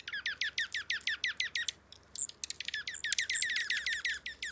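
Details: Dark-eyed junco alarm call, agitated rather than calm like its trill: a rapid volley of sharp, high, down-slurred chips, about three a second, pausing briefly before a denser burst.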